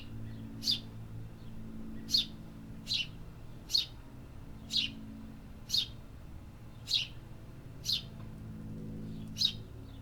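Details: Birds in a city calling persistently: nine short, bright chirps spread over ten seconds, fairly evenly spaced, above faint low background hum.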